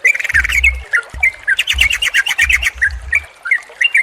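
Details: Yellow-vented bulbul chatter used as a lure to get a silent, stressed caged bird singing: rapid bubbly chirps and short squawky notes, dense bursts mid-clip, with low dull thumps underneath.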